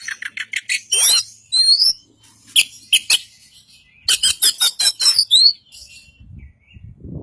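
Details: Caged Kacer Poci, a white-breasted Oriental magpie-robin from East Java, trained in full isian style. A string of rapid clipped notes leads into upward-slurred whistles, then another quick chattering series. Faint low rumble at the end.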